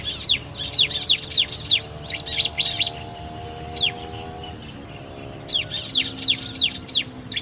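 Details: Bar-winged prinia lure call for attracting birds, quieter, with bursts of quick high downslurred chips in clusters separated by short gaps, over a steady low hum and faint background noise.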